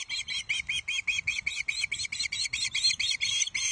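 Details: Juvenile osprey at Loch Arkaig on 31 July 2023, shrieking ravenously as the first fish, a headless trout, is brought to the nest; harsh piercing shrieks repeated about four to five times a second, steady and unbroken.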